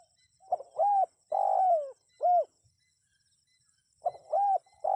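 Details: Spotted dove phrase used as a lure for wild birds: short note, rounded coo, long falling coo and brief arched ending, a quiet gap, then the phrase starting over, accompanied by a faint high constant tone.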